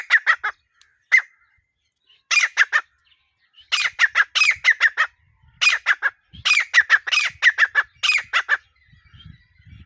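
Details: Partridge, known locally as desi teetar, gives bursts of harsh, grating notes in quick clusters of three to six, separated by short silences, with faint low rumbling behind.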